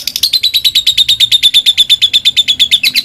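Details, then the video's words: Lovebird calling out rivals with a loud, long ngekek chatter, a rapid even series of sharp high notes at about six per second. "Lovebird memanggil musuh ngetik dan ngekek panjang fighter"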